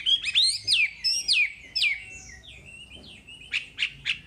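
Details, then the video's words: Wambi song from a songbird tutor recording: sweeping whistled notes rising and falling sharply, then a level warbled phrase and a run of short, bright chip notes near the end. "Masteran Wambi paling istimewa full materi"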